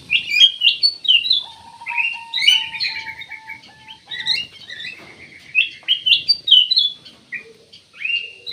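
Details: Ruby-throated bulbul chattering steadily with rapid, varied, high chirps and short trills, over a faint sustained lower tone in the background.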